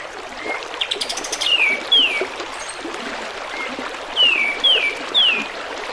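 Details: Kapas tembak bulbul, recorded as song for other birds to learn, with running water. Bright descending whistles come in loose clusters of two or three, with fainter lower slurred notes between, over continuous trickling stream noise.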